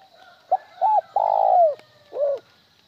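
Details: Spotted dove calling in the one-ending style. A brief note and a double coo lead into a long, vibrating coo that slides down, followed by a single rounded end note. The background is faint and still.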